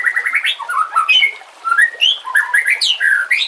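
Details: Training song of a white-rumped shama with a backdrop of natural sounds and trickling water: a fast run of varied whistled and warbled notes, rising and falling, with a brief pause mid-way before the rich phrases resume.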